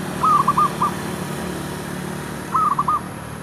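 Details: Zebra dove serving as a decoy near a shop area, producing two rippling cooing phrases a little over two seconds apart over a low mechanical hum.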